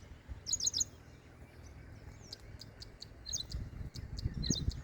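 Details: A White-bellied sunbird foraging in a sorghum field gives very high, thin chirps in quick bursts of three or four, then scattered sharp single notes, over a low rumble of background noise.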